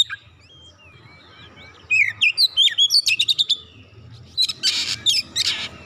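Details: Oriental magpie-robin song aimed at getting a silent kacer to sing: soft whistled notes open, then a fast run of crisp chirps and slurred whistles, followed by harsher, buzzy scratchy notes.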